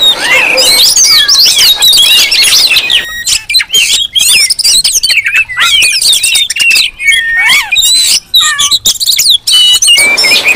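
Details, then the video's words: Lure recording of rowdy Oriental magpie-robins meant to draw wild birds. Dense high whistles, trills and squawks pile over each other in quick succession with short pauses between bursts. "Suara Kacer ribut Rame Banget sangat cocok buat pancingan"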